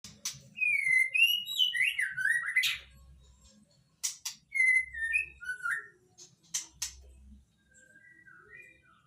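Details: White-rumped shama, locally murai, of the Nias bloodline, singing varied clear whistles, slurred descending phrases and sharp high notes in quick succession, with low background rumbles and clicks.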